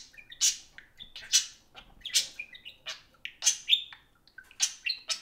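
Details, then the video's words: Budgerigars, two pets at play together indoors, chattering loudly in a dense stream of sharp chirps, squeaks and warbled whistles with hardly a pause. "Kiwi and Pixel the Parakeets Socialize over an iPhone (Budgie Play Time)"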